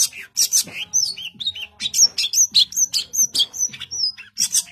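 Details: Long-tailed shrike singing vigorously in dense 'tembakan' bursts: harsh, raspy high bursts alternating with short slurred whistles, delivered rapidly at about two to three notes per second with brief pauses.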